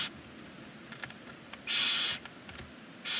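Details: Barn owls nesting in a chimney box in Ságvár, Hungary, first chick's first day: one long breathy hiss mid-clip, the edges of others at start and end, with scattered light tapping clicks.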